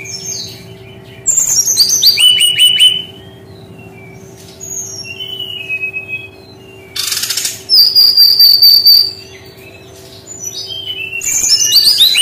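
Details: Brown-chested jungle flycatcher in its unique 'tembakan' song style: cascading descending whistles, quiet high notes, then a loud buzzy burst flowing into a long warbled whistle, ending with another rapid descending series. A low hum persists throughout.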